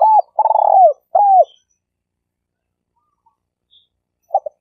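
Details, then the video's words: Spotted dove used as a lure bird, mid-phrase. An arched coo leads into a long burred rolling note and then a curved falling hoot. After a quiet gap, the double notes that open the next phrase follow. "Suara Burung Tekukur Denak Padu Juara All Star"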